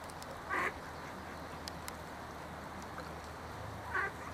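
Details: Mallards in a fight over a female, two drakes defending her from an intruding male; two loud, nasal, harsh quacks about three and a half seconds apart over a steady low hum and a few faint clicks.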